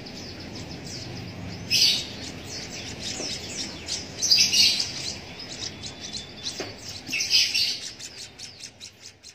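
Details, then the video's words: Hand-reared Javan munia chick begging while fed via a used straw, with three loud buzzy high bursts spaced a few seconds apart amid fainter quick chirps. "Cara Meloloh Anakan Emprit Kaji Menggunakan Sedotan Bekas"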